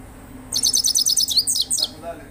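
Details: Goldfinch, Himalayan form, in song: a brisk run of high, tinkling twittered notes lasting about one and a half seconds, ending in a few sharper, slurred chirps over a faint background hum.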